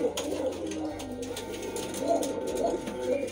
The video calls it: Kaldom Pigeon singing